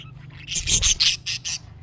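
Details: Budgerigar in a burst of harsh, scratchy chatter: five or six rapid raspy notes in under two seconds, part of the calling used to prompt a pet budgie to reply.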